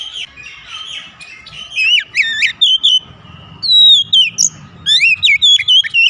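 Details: Oriental magpie-robin (kacer) song, used as therapy to get a reluctant bird singing: loud, varied whistled phrases in quick bursts, with sweeping rising and falling notes, sharp chips and brief trills, separated by short pauses.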